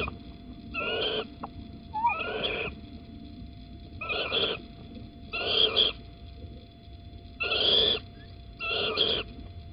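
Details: Morning at Holten, 9 April 2020 at 07:10: a little owl gives six rasping, hiss-like wheezes roughly every one and a half seconds, varying in loudness, as the male arrives carrying an earthworm.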